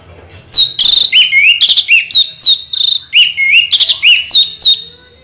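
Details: Orange-headed thrush in continuous rolling song: a steady chain of loud slurred whistles, each sweeping down then flattening, repeated about three times a second with sharp chirps mixed in.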